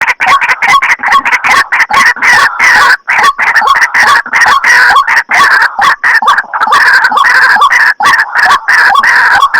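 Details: White-breasted waterhen lure recording used to draw shy birds closer during daytime trapping: dense, harsh, overlapping croaking notes in rapid, continuous chatter with brief gaps, loud and raucous throughout.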